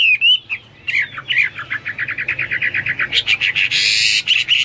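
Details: Hwamei singing vigorously: clear whistled notes slurring up and down, then a fast run of short repeated notes, ending in loud harsh, buzzy bursts; steady background hum.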